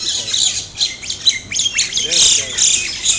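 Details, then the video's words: Two pairs of mynas attacking each other, squabbling with harsh, grating squawks and sharp chatters in quick, irregular, loud high-pitched bursts, with faint voices in the background. "Mynas Fighting"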